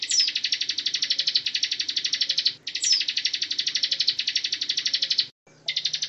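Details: Bar-winged prinia (Javan ciblek) singing a continuous ngebren-style training song for magpie robins: long, high, buzzy pulsed trills of about four pulses a second, each opening with a sharp high note, broken by brief gaps.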